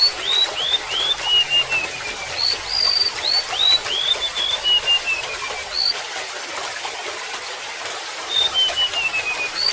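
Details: Golden-bellied gerygone repeating its descending cascade of sweet, high upslurred whistles in separate bursts with gaps between, over a constant water trickle.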